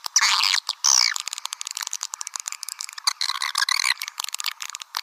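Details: Swiftlet call played to lure swiftlets: two loud buzzy bursts with a quick rising whistle, then a fast, scratchy chatter of many short high chirps that varies in loudness.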